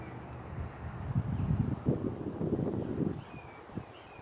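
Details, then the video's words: A tricolored heron, which makes a lot of noise when it flies and when it catches something, gives low, hoarse, guttural croaks in an uneven run for about two seconds, over steady wind noise. "A Tri Colored Heron Makes Noise"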